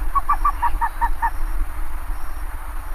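A bare-faced ibis gives a quick run of seven nasal, honking notes over about a second, each slightly lower than the last, against low background rumble.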